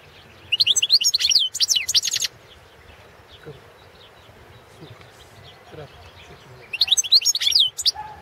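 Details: Competition song of a Balkan goldfinch, Carduelis carduelis balcanica, kept for breeding and entered in a 2017 world championship held online; quick liquid twittering phrases with buzzy trilled ends, a long pause, then a further twittered burst.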